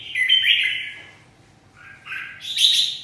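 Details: Red-whiskered bulbul singing in a songbird competition; loud, clear whistled phrases, first a sustained warbling note, then after a pause a rising series of bright whistles ending high.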